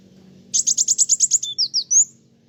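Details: Kolibri wulung sunbird, singing hard to provoke rivals: about ten rapid, bright, high chips followed by a few thin, slurred whistles.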